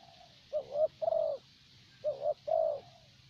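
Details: Spotted dove used as a decoy to lure birds in Vietnam, thổ bầu type, giving two rounded phrases, each a brief coo followed by a longer, fuller coo, over a quiet low hum.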